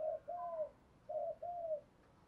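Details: Two pairs of mellow spotted dove coos in 'thúc gù' style, each a short note followed by a longer gently falling coo, heard against a constant faint hiss.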